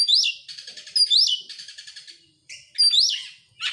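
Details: An oriental magpie-robin sings as a lure to set other birds singing: clear upswept whistles each followed by a buzzy, rattling trill, repeated about three times.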